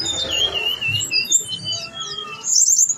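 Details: Energetic song of a blue-winged leafbird (tledekan gunung) delivering its mimicked phrases: a long wavering whistle sliding up and down, then sharp high chirps and a bright trill near the end.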